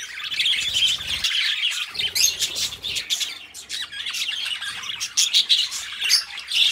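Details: Pair of pet budgies keeping company, producing rapid chattering song: clicks, squeaky notes and short sharp whistles tumble over one another for the whole stretch. A faint low rumble shows briefly early on.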